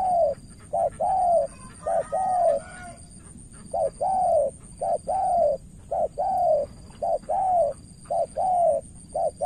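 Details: Spotted dove from Cà Mau, Vietnam, a decoy bird facing a seasoned opponent, cooing in paired short-then-long hollow notes, repeated roughly every second, over a thin continuous high-pitched hum.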